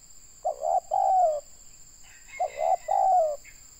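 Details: Local Indonesian spotted dove calling during a trapping session with a lure: two deep cooing phrases, a short double coo followed by a longer falling coo, with a faint higher twitter over the second phrase and a steady electronic whine.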